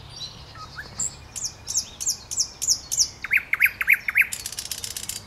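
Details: Thrush nightingale singing on 8 May 2022: a loud phrase of repeated downslurred high strokes, then a run of rapid deeper chock-like notes about five per second, ending in a dry broadband rattle, over a quiet background.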